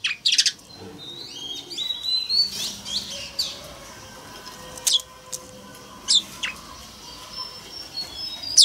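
A male Oriental magpie-robin sings bright, varied whistled phrases broken by sharp, high chip notes and short pauses, with a faint low hum beneath.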